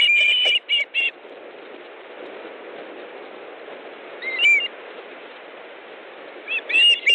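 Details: Osprey nest in Estonia, 18 August 2014 at 18:05, as the male delivers fish; short whistled notes at the start, a long quiet stretch, then a couple of brief whistles at the end.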